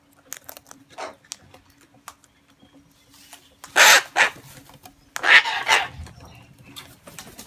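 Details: Sulphur-crested cockatoos on a house deck in Sydney, Australia, giving harsh, raucous screeches in two loud bursts of two or three, over a faint steady hum and softer background bird notes.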